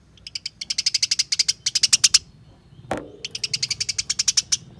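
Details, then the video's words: House sparrow fighting call, played to prompt caged sparrows to sing: dense trains of sharp, high, dry chirps in fast rhythmic bursts of about a dozen notes, broken once by a single loud knock before the chattering resumes. "Masteran Burung Gereja Tarung, Bikin Gereja Gacor dan Ngeplong Nyerecet Panjang"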